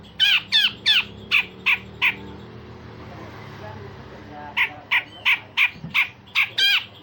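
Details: Grey-cheeked bulbul singing rough rasps and sharp shots as a tutor for other songbirds: a quick run of six harsh squawky notes, two seconds of quiet, then another fast series of grating calls.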